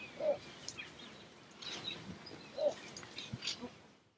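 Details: Little bittern calling at the Harchies marsh in Belgium, July 2014: two brief, deep croaking barks roughly two and a half seconds apart, with soft rustling and faint distant birds behind.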